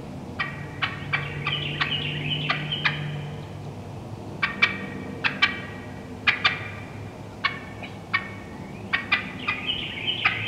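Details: Wild turkey hens in the woods calling with sharp cutting notes and yelps, loud broadband clucks in quick irregular bursts mixed with higher drawn-out yelping runs, steady low hum underneath.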